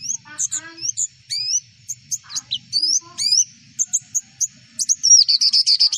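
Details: Javan white-eye training recording: varied high chirps, clicks and short slurred whistles in an uneven stream, building into a quick series of high repeated notes at the end; faint low background murmur.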